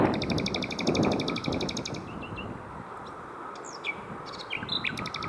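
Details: Around 7 pm on a bike route between Hoek van Holland and Scheveningen, a common nightingale sings a fast rattling series of high repeated notes, then sliding whistled phrases, against a steady low background hum.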